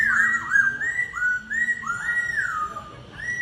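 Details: Laughingthrush singing in a vocal duel, a tense note-by-note contest: rich whistled phrases with slurred rises and falls, delivered in quick varied bursts against a quiet background.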